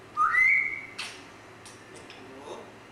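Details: Grey parrot giving one clear whistle that glides upward and then holds steady, followed by a few faint, short clicks and chirps in a quiet room.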